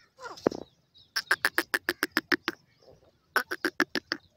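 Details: Grey francolin call: a harsh opening note, then rapid series of clipped, buzzy notes in two bursts, about six notes a second, with a brief soft sound between them.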